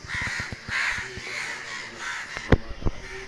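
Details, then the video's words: Many crows gathered and calling because something happened to one crow: harsh, overlapping caws at low volume, mixed with a few sharp knocks and thumps nearby. "కాకులు చూడండి ఎన్ని వచ్చాయో చూడండి ఇది ఒక్క కాకికి ఏదైనా అయితే ఎన్ని కాకులు అరుస్తున్నాయో చూడండి"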